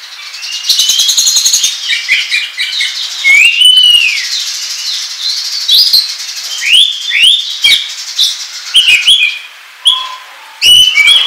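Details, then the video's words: Oriental magpie-robin song used as a lure for trapping and as a model song for training other birds, in the ngobra style: varied whistled phrases, rising and falling slurs, harsh buzzy notes, and short chattering bursts with brief pauses between. "SUARA PIKAT KACER NGOBRA TERBAIK PALING AMPUH"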